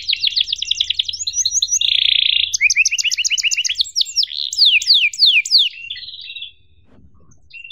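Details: Canary tutor song with emotional 'cuit cuit' notes for young canaries: rapid trills, a loud buzzy rattle, chirp series and steep descending sweeps, then near silence at the end.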